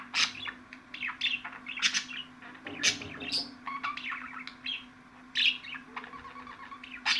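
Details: Lively budgerigar chatter: repeated sharp chirps and scratchy bursts alternating with softer warbled phrases, accompanied by a steady low hum.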